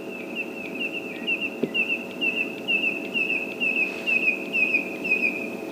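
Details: Red-crested korhaan in Greater Kruger, South Africa, calling at the dawn chorus on 1 September after being silent all winter, gives a steady run of short, high whistled notes, about two a second, over a faint insect-like hum.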